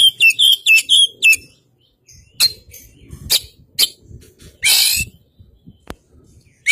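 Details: White-rumped shama of the Kacer Poci form from East Java, a masteran recording with varied song. Opens with a run of whistled, slurred notes, then scattered sharp clicks and one loud harsh buzzy burst among quiet gaps.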